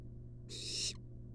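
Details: One drawn-out, noisy hissing screech from a wild barn owl chick begging as the mother arrives with a long-tailed rat in a monitored nest box; steady low hum behind.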